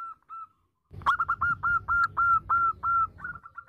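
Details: Female zebra dove calling the male: two soft whistled notes, a pause, then a run of about a dozen loud, clear whistled coos at roughly three per second, over a low rumbling background.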